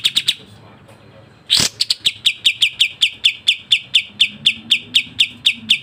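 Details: Sooty-headed bulbul, masteran recording of 'speed rapat' variation song. Three chips, a quiet gap and a loud harsh rasp, then a long even string of high, sharp chirps delivered rapidly and evenly.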